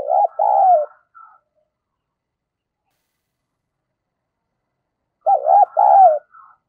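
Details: Cooing spotted dove acting as a decoy to lure wild birds: a loud doubled coo with a soft trailing note, a long quiet pause of about four seconds, then the same phrase repeated.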